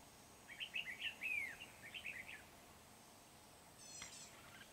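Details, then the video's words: Red-whiskered bulbul recorded during bird trapping with a lure bird, a mountain bird, 16 February 2019: a quick run of bright warbled, slurred notes over about two seconds, then a short raspy burst later, over steady background hiss. "Bẫy chào mào Núi Đá mị hòa"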